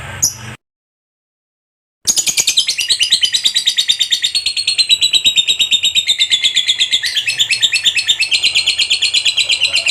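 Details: Lovebird kept as a contest fighter bird, giving its long ngekek chatter. After a brief sound and nearly two seconds of silence comes a continuous, rapid, high buzzy chattering, about three pulses per second, shifting pitch slightly midway.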